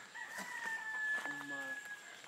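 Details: Rooster crowing during a chicken fight in American Samoa: one long, steady, ringing note with rich harmonics that breaks into a lower, rougher ending.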